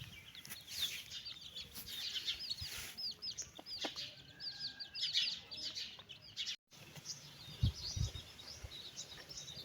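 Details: Mother hen calling her chicks for a walk; dense high, rapid chick peeps fill the recording, overlapping in a steady chorus, with faint low thumps and a brief dropout near the end.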